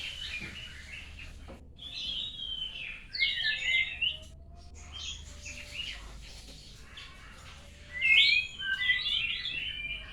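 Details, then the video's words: White-rumped shama learning new sounds after moulting: phrases of clear whistled and warbling notes, with louder bursts near the third and eighth seconds. A low steady hum sits underneath. "belajar bunyi baru selesai dari mabung burung Moray batu"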